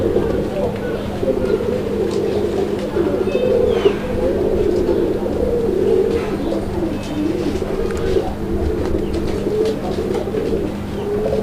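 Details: Pair of caged Madrasi Golla domestic pigeons in Bangladesh, praised for an excellent call, giving low, rolling coos in long overlapping phrases, with steady background hum and faint voices.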